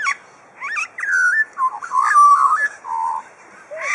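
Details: Captive superb lyrebird at Adelaide Zoo, Australia, copying other birds: wavering, warbled whistles and mellow gliding notes strung together in an irregular, chattering phrase.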